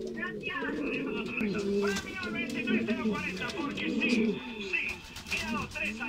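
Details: Male Canary pouter pigeons in good breeding condition coo in deep, swelling phrases that overlap one another, backed by higher bird twitters and faint voices.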